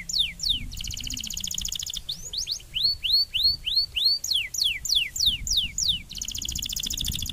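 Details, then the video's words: Canary song used for training other canaries, a run of clear downward-sweeping whistled notes about three per second, interrupted by fast buzzy rattling trills at start and end, with low rumbling background noise. "The song canary therapy to train the lesser fighter mentality"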